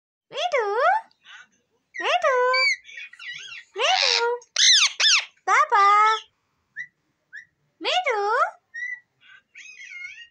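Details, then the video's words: Green ringneck parrot talking, mimicking words such as mummy and papa; a run of harmonic, wavering syllables with rising and falling bends, bursts of about half a second separated by short pauses, a few faint whistles between. "green mithu parrot talking mummy papa | parrot talking papa"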